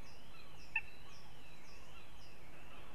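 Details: Northern goshawks recorded in Riga, Latvia, giving evenly repeated wavering calls that rise and dip roughly twice a second, with a brief click early on and constant low background hum.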